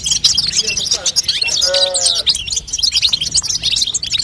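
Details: Female European goldfinch calls used to stimulate a young goldfinch to sing: dense, high tinkling twitters and chirps in continuous rapid chatter, with a brief lower humming tone near the middle and a low background rumble.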